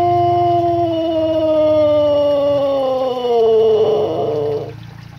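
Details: A Pelung rooster, a prized long-crowing breed, holds one long, rich crow for over four seconds, sliding slowly downward in pitch before breaking off, over a faint low hum.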